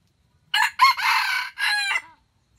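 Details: Wild junglefowl in forest, drawn toward a trap by a lure, crowing: a short harsh opening note, a brief gap, then a long rasping middle phrase and a final falling note, about one and a half seconds in all, with quiet surroundings.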